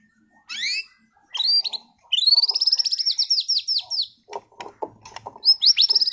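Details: Contest-class caged white-rumped shama from Sragen giving high, rapid trilled phrases of repeated arched notes, opened by a few sweeping whistles, with faint clicks and knocks in between.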